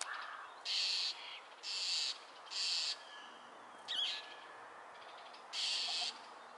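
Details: Wild owl giving harsh, hissing screeches, each about half a second long, repeated roughly once a second with short gaps; a brief squeaky note sounds in between.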